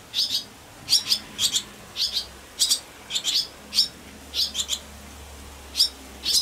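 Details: Barn swallow (Hirundo rustica) nestlings, four in the nest, give high, thin begging chirps in clustered bursts, several voices together, during a chorus one June 8 evening around 19:03, after one chick fell in a scramble for space and then returned.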